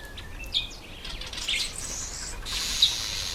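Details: Red bishop during its October–November breeding season: scattered high chips build into a hissing, wheezy chatter, ending in a long, even sizzling buzz.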